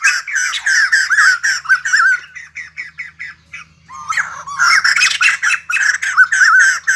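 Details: Singing white-crested laughingthrush with dancing behaviour: fast bursts of rasping, chattering notes, a softer stretch of clipped calls midway, then a renewed loud cackling outburst.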